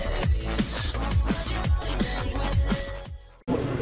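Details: Electronic music with a pounding, repeated bass beat plays throughout and stops briefly near the end, with no animal sound.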